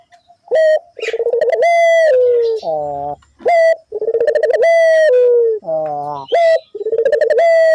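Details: Dove calling hard as a lure meant to prompt other doves to answer: deep, rich coos in sustained rolling bursts with short rising end notes, recurring about every three seconds.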